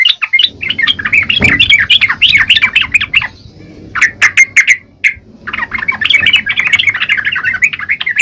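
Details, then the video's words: Yellow-vented bulbul chattering in gacor style, dense, quick warbled chirps and squeaky notes, a short thud near the start, a lull with scattered sharp clicks, then the busy chatter resumes. "Burung trucukan gacor..!!"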